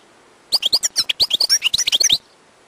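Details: Wild European goldfinch delivering a rapid, under two-second string of bright twittering notes, each quick and slightly bouncing in pitch, then stopping abruptly.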